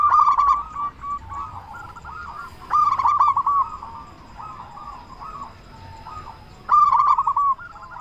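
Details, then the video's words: Local zebra dove with a big voice, singing to spur other doves; three loud phrases of sharp clicks and rolling coos, separated by softer, broken cooing. "Perkutut Lokal Gacor Suara Besar Pancingan Burung Perkutut Agar Cepat Bunyi"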